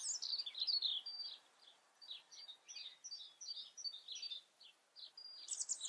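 A European robin sings thin, high, tumbling phrases of sweet trills and twitters, broken by brief pauses, over faint background hiss.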